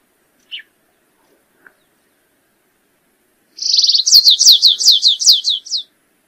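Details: Stripe-tailed yellow finch: two brief isolated chip notes, a pause of about two seconds, then a buzzy trill running into a quick string of about eight sharply falling whistled notes. Nothing else is audible.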